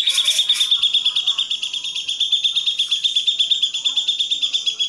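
Grey-cheeked bulbul delivering a steady stream of high, bright chirping notes, about three each second, after a short rough burst at the start.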